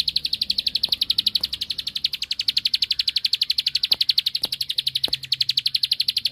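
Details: Ciblek sawah, the bar-winged prinia, in a lively song meant to goad a rival: a dense, even rattle of high clipped notes repeated rapidly and without pause for over six seconds, with occasional soft knocks.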